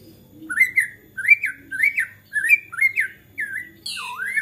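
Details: White-rumped shama in agitated song that spurs other shamas to sing: a series of about seven harsh rising-falling buzzy notes, roughly one every half second, ending in a deeper swooping whistle.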